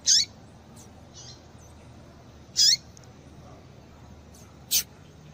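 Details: Female double-collared seedeater calling to excite males into song: three brief, piercing high chirps spaced roughly two seconds apart, some ending in a falling sweep, with softer faint chips between and quiet background hiss.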